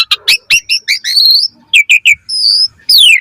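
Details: Asian pied starling, mompa style, full variation as a training lure: a quick string of chattering notes, then a long whistle, clipped chips and a final falling harmonic slur.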